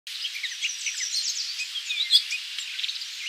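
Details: A Gray Catbird at Magee Marsh Visitor Centre, Ohio, USA, on 8-5-2023 gives a quick jumble of high, squeaky and chattering notes with no set rhythm, over a steady hiss of marsh background noise.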